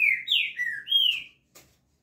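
Green-winged Saltator giving a short phrase of rich, clear whistled notes, gliding down then up, followed by a brief soft note.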